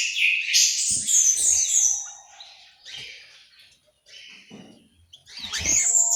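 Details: Orange-headed thrush in an aviary in Malang, East Java, giving a varied, bright, high warbled song of rich phrases. The phrases come in bursts separated by quieter gaps, with faint low knocks and rustles beneath.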